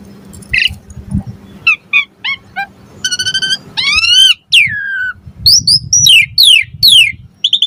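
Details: Asian pied starling song for prompting other starlings to sing: varied whistles, a long rising harmonic note, descending slurs and quick sweeping notes over a steady low hum.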